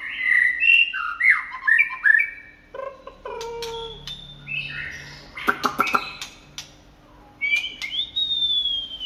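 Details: A late-afternoon white-rumped shama song with mewing, slurred phrases, rapid rattling clicks and a final long rising whistle, delivered in irregular bursts over a faint constant hum.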